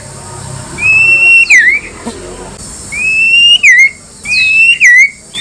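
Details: Provocative White-rumped shama song meant to make other shamas respond: three drawn-out whistles, each rising gently then snapping downward into a short twist, spaced about every one and a half seconds.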